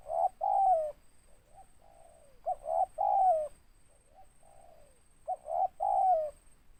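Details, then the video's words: Spotted dove, local bird with a big 'ngeruk' voice and 'tindan' note: loud phrases of two short notes and a sliding longer coo recur about every 2.5 seconds. Gentle wavering coos fill the gaps. "Tekukur suara besar ngeruk ada tindannya"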